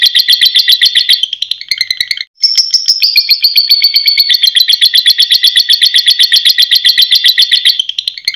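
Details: Lovebird in full ngekek song, a long shrill buzzing trill of fast regular pulses, briefly interrupted by a short gap near the start, then resuming in one sustained, slowly falling chatter.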